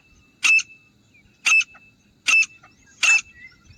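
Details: Grey francolin: four sharp, harsh, high-pitched notes, each a short burst spaced about a second apart, with a thin steady tone running underneath.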